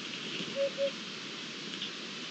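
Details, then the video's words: Eurasian hoopoe recorded 7 May 2021 gives two soft, low, hollow hoots in quick succession over a steady hiss like rain. "Abubilla y su canto"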